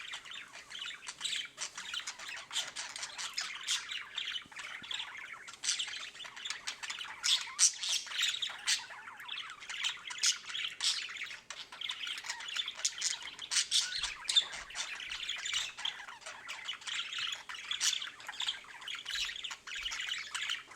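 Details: A sick pet budgerigar gives a steady stream of harsh squawks and scratchy chirps.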